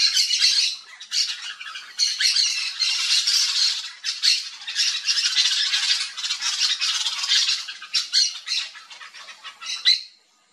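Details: Yellow-chevroned Parakeets in a flock feeding on backyard fruits in Brazil; continuous loud, grating chatter of many overlapping screechy squawks, pulsing in bursts for about ten seconds before stopping abruptly.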